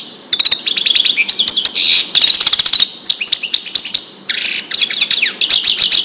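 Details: Goldfinch song of the Wedani type for chick tutoring: long, bubbling phrases of rapid metallic twitters and trills, broken by brief gaps, lively and high-pitched throughout.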